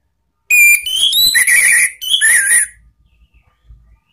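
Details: Lure song of an Orange-headed thrush for training cage birds, in the ngeplong style from Indonesia: a clear opening whistle, then tumbling slurred whistled notes in two linked parts, ending in near silence.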